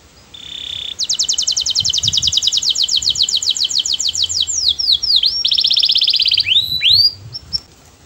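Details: Sweet canary song, sung so that other canaries join in: a short flat tone opens into a long rapid trill, followed by looping downslurs, another fast roll and a few swooping whistles.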